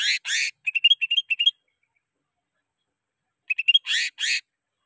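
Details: Greater green leafbird song used as a lure for training caged birds: two harsh, rasping bursts, then a quick run of short whistled notes stepping slightly upward, a pause of silence, more brief whistles and two closing rasps.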